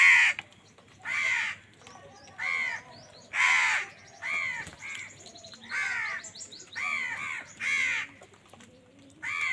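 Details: A run of loud, grating crow caws as birds fight for food: about a dozen hoarse calls at a steady pace, some louder and some softer.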